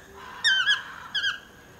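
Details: From just below a house, a talkative toucan gives two strong yelping calls with rich harmonics. Each call slurs downward, and the second is shorter, set over faint steady hiss.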